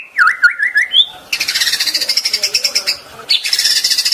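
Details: White-rumped shama (murai batu) song from a master recording for training caged birds in the pastol style: sweeping whistled notes wavering near mid pitch, then a fast, dense, buzzy high trill of rapid repeated pulses, broken briefly before resuming.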